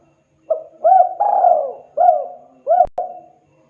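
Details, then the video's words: Spotted dove calling to other birds: a full phrase of short coos around one long, falling coo, with a sharp click near the end. "Suara burung tekukur deruk derkuku Gacor memanggil TEMAN Ikutan RESPON Bunyi"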